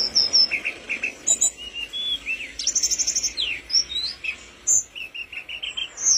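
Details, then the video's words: Tledekan gunung flowerpecker in lively song for songbird tutoring: repeated high chips and whistles, a rapid burst of very high ticking notes, then a string of similar short notes repeated in quick succession. "burung tledekan gunung gacor"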